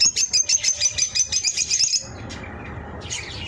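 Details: Ring-eyed lovebirds: a rapid run of high, sharp chirps repeated about three times a second for two seconds, then faint scattered squeaks over a low background rumble.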